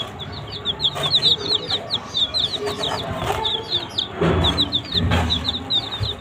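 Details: A flock of young chicks pecking at green leaves gives rapid, high-pitched downslurred peeps in steady overlapping chatter, with occasional rustles and low background rumble.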